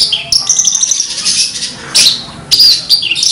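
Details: Melodious lark singing a rapid jumble of high sweet whistles mixed with rasping, noisy bursts, loud and close, with brief pauses between phrases.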